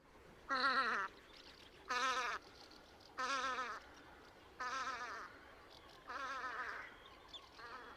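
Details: Velvet scoter at Liepāja, Latvia, in March 2024: harsh, nasal, buzzy calls with a wavering, trembling quality, given in short bursts about every 1.3 seconds, five or six times, over faint background noise.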